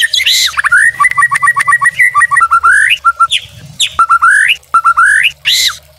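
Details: Tutor and lure song of a white-rumped shama (murai batu): clipped whistled notes repeated in quick series, broken by rising slurs and bursts of harsh, broadband notes, over a low background hum.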